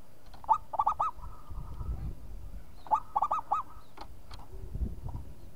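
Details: Zebra dove of a local strain singing: two phrases of quick bubbling coos, each ending in a drawn-out level note, with faint clicks and low rumble between.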